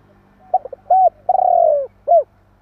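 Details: Spotted dove calling to provoke rivals: stuttered opening notes, an arched coo, a long purring coo drifting down, then a short hooped coo. A constant low hum runs underneath.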